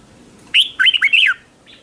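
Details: One short competitive decoy phrase from a red-whiskered bulbul, sung to attract wild bulbuls: a clear rising note followed by three quick dipping, whistled slurs in under a second, then silence.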